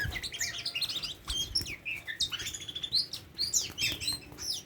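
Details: Tame Oriental magpie-robin pouring out a busy, overlapping mix of chirps, slurred whistles and chatter, with a thump at the start.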